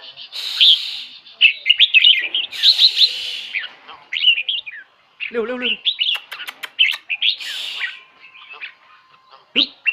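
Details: Red-whiskered bulbul kept in a cage at Khlong Hae, Hat Yai, Thailand: repeated rich, burbling whistled phrases with short pauses, a brief burst of human speech midway.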